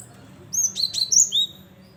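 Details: Singing cinereous tit used to lure wild birds for trapping: a rapid run of piercing whistled notes, alternating high and lower pitches with short sharp slurs, lasting about a second against a quiet background.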